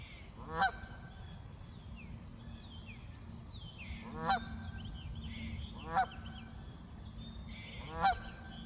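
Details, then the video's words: Four nasal, buzzy goose honks from flying geese, spaced irregularly two to four seconds apart, with faint thin chirps from other birds between them and a low background rumble. "Geese honking and flying"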